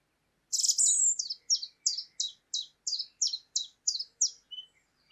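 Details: A song thrush in the UK dawn chorus at a late-spring sunrise gives a bright, high run of about ten quick, slurred chirping notes, roughly three each second, against a quiet background; a chiffchaff sings nearby.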